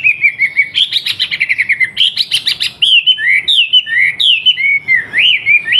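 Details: Wambi, a kept bird from a collection in Surabaya, used as a master song for tutoring young trucukan bulbuls. Busy, loud run of rapid buzzy trills, then clear whistled slurs, some rising and some falling, in quick succession.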